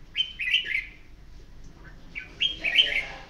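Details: One of a pair of captive red-whiskered bulbuls, nearly three years old and moulting, gives two bright, bubbly bursts of whistled notes, rising and falling around a lively mid-high pitch, about two seconds apart.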